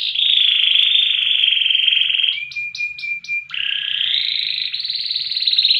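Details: Indonesian loper canary, a long-duration, high-volume competition singer: a sustained buzzy trill, a brief burst of pulsed notes, then a rising rolling trill carried to the end, with faint low hum beneath.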